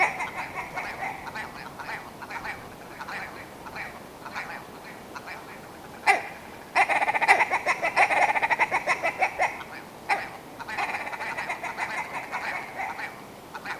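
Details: Willow ptarmigan (Lagopus lagopus) song: hoarse, nasal cackling notes in fast stuttering bursts that speed into a loud rattle, with brief pauses between runs.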